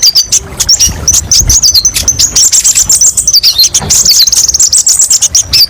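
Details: High sunbird twittering, a kolibri ninja song for therapy and tutoring, in short bursts of sharp chirps and quick trills with small pauses between phrases.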